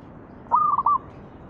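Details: Zebra dove 'manggung' song used to prompt other doves to sing: a single brief trilled coo of a few rapid, clipped, evenly pitched notes, over a constant low background hiss.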